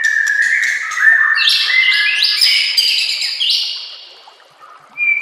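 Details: White-rumped shama singing a master song meant to train other shamas: sustained rich whistles stepping upward into loud ringing phrases, fading out before a short final note.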